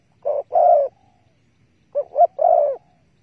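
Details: Spotted dove at a bare-bait bird trap, 15 August 2020: a two-note coo, then after a pause a three-part coo with a wavering start and a long drawn final note.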